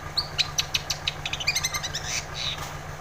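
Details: Dense, fast 'gacor' song of a long-tailed shrike, used to make a lazy shrike sing: tight runs of piercing high notes in quick succession merging into a noisy chatter, with background hum.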